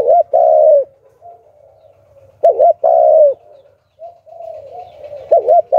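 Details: Decoy spotted dove in the 'Hạp Bổi' voice, calling to draw in wild doves. Makes repeated phrases of a quick double hoot and a long, low coo, with softer cooing and a faint low hum between phrases.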